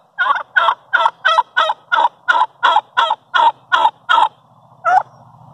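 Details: Talkative turkey hen in the morning giving a steady series of eleven hoarse yelping notes, about three per second, followed by one last note and a faint low hum.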